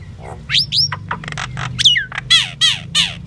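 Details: Common myna song, known as Indian myna: rapid run of upward-sweeping whistles, rattling buzzes and a series of loud descending wavering whistled notes near the end, over faint low hum.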